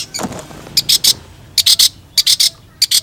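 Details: Long-tailed shrike tutor recording: loud, rasping bursts in groups of two or three, repeated about every half second, with a low rumble at the start.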